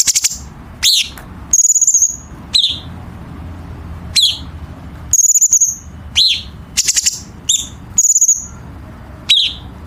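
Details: Chinese bulbul training song for competition birds, with sharp, packed harsh fills: clipped high flicks, short stuttered bursts and thin steady whistles, spaced by brief pauses over ten seconds.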